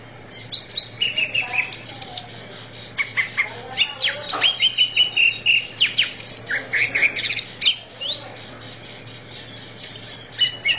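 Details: Greater green leafbird song used as a training recording for therapy of kept birds: a rapid, nearly continuous medley of high, clear whistles, sharp chirps, short trills and quick downslurred notes, broken by brief pauses.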